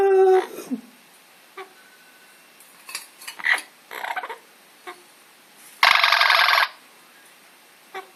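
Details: Captive Amazon parrot producing a brief low whistle, scattered clicks and mutterings, then one loud, rasping screech of nearly a second.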